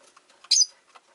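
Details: A single loud, grating chirp from a pet rosy-faced lovebird, one of five caged near a window, with faint soft ticks and rustles around it.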